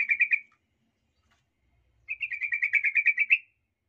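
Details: Lure song of a sooty-headed bulbul meant to provoke rival males: a short burst of bubbly notes, a pause, then a longer rapid run of about a dozen quick chirping notes.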